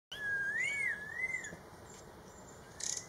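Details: Red-tailed laughingthrush in Yunnan, China, 2020, giving a clear, wavering whistle that rises and falls over about a second and a half, over a steady high insect drone.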